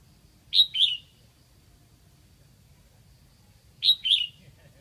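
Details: Caged decoy red-whiskered bulbul from Lạng Sơn, Vietnam, singing to lure wild bulbuls: two short bright phrases, each a pair of quick chirpy notes, about three seconds apart, with faint low background hum.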